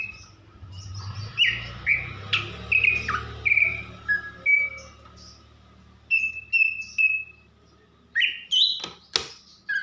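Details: Female greater green leafbird, Banyuwangi type, calling to arouse the male: a string of short, descending whistles, then three even flat whistles, then rising notes and a sharp click, over a low rumbling hum.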